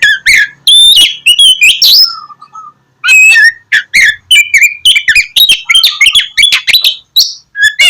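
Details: Oriental magpie-robin (kacer) in vigorous gacor song, played to lure lazy magpie-robins into singing in the morning: loud, fast bursts of clear whistles, buzzy notes and rising slurs, with a few low drawn-out whistles between the rapid phrases.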